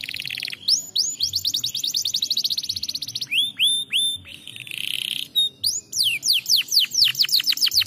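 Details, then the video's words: Canary singing to stimulate lazy birds: fast repeated trilled syllables at high pitch, then descending whistled slurs, a brief buzzy burst, and quick rising-falling notes repeated several times per second; steady faint low hum underneath. "estimular muito rapidamente o som de canários preguiçosos cantando"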